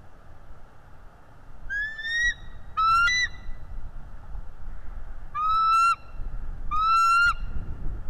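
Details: Bald eagle calling at its nest while driving off an intruding eagle, caught by a live nest cam: four loud, ringing, slightly upslurred whistles in two pairs separated by a pause, with low wind-like rumble beneath.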